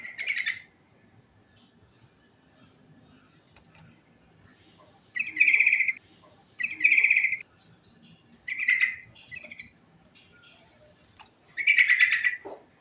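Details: Sooty-headed bulbul in rolling ngerol song with rich fill-ins, meant to prompt other birds to answer: bursts of liquid, bubbly whistled notes about a second long, given in clusters of two or three with pauses, the last phrase ending in a downward slur.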